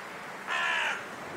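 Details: Raven giving a single harsh, hoarse caw about half a second long, grating and rich, over a quiet background hiss.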